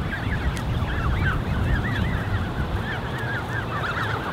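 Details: Peeping of a large Canada goose gosling creche, more than thirty young, June 2015: quick looping high notes from many chicks, slightly sparser here, over low wind noise.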